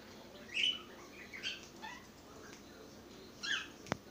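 Cockatiels give soft, brief chirps and twitters, spaced out over a quiet background.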